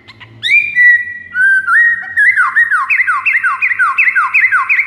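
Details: Master song of a white-rumped shama for luring rival shamas: a held whistle, a couple of lower upslurred notes, then a rapid rhythmic chain of downward-swooping whistles to the end.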